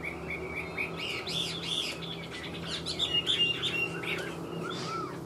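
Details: Fainter song of a kept Chinese hwamei: quick repeated chirping notes and short whistles in a loose series, over a low steady hum.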